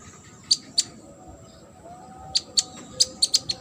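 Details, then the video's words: Sunbird, a competition bird, gives sharp, very high clicking chips, two early then a quicker run of five or six, over a quiet background with a soft low tone. "KONIN GACOR ISIAN MASTERAN UNTUK BURUNG LOMBA."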